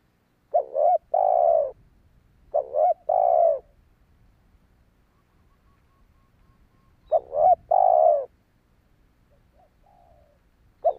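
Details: Spotted dove coos for luring wild doves, two quick phrases of broken notes and long coos, a long quiet stretch, then another phrase and the start of a fourth, with low background rumble.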